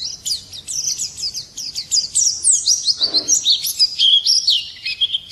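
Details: White-eye singing in the morning: a rapid, high-pitched twittering warble of thin slurred whistles, with a brief low noise burst midway.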